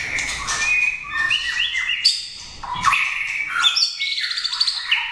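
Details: Competition white-rumped shama, caged, singing energetically with fluty whistles, sharp high notes and buzzy trills, phrases tumbling into each other with short gaps.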